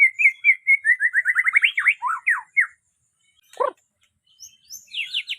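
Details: White-rumped shama singing a rich, varied phrase of clear whistles, speeding into a rapid run of sharp rising and falling notes, a brief pause, a lower harsh note, then a quick high twittering series.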